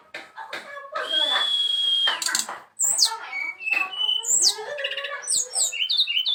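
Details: Brown-chested jungle flycatcher singing a varied string of notes: a long, steady, high whistle held about a second, then sharp chirps, short slurred whistles and quick rising and falling phrases.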